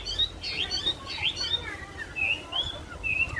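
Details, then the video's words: Recorded on Friday 7 March at 15:55, a Wambi bird gives a lively, varied twittering song of quick high chirps and short whistled slurs, almost without pause, over a faint background hum. "burung WAMBI"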